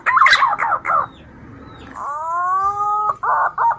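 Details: Green pigeon lure call, used to attract females for hunting: fast chattering, warbled bursts, a pause, then one long steady whistled note with overtones, followed by more chatter.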